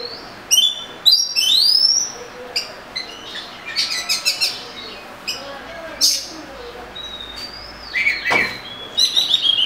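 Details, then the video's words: Oriental magpie-robin, known locally as murai kampung, singing a varied run of clear whistled notes, rising slurs and quick chirps in separate bursts, with short pauses between phrases over a soft hiss. "Murai Kampung/ Magpie Robin"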